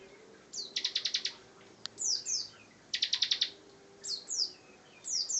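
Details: Energetic ngebren song of a Bar-winged prinia (ciblek): rapid stuttering bursts of five or six sharp high notes alternate with pairs of thin descending slurs, the pattern repeating twice.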